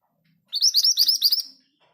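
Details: Scarlet minivet, locally mantenan gunung, a kept bird that sings easily even among other caged birds; a rolling song phrase of roughly eight bright, rising, whistled notes in quick succession, fading at the end.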